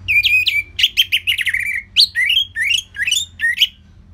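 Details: Orange-headed thrush song kept as training material for other cage birds: loud, continuous string of sharp whistled notes, many sweeping downward, some rising, delivered in rapid uneven bursts with faint background hum.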